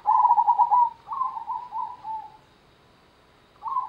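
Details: Local zebra dove (perkutut) in Gendowo Sabdo style: a rapid trilled coo followed by several shorter wavering coo notes descending slightly, then a pause and a new trilled phrase begins.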